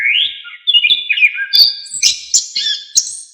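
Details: Orange-headed thrush song, a lively, loud, full-phrased recording used to train other songbirds. High, varied whistles and chirps jump rapidly between pitches, with short bursts rising into sharp, bright notes.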